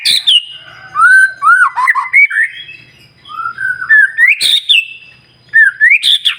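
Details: White-rumped shama pouring out song to rouse other shamas: sharp high chips, then liquid whistles climbing and dipping, a short lull, and further bursts of bright rising phrases.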